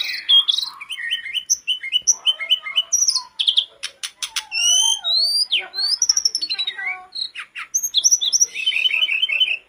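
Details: Hill blue flycatcher in full, vigorous song, used as a lure for kept birds: a rapid, dense stream of varied high whistles, slurred upsweeps, trills and sharp clicks with almost no pauses.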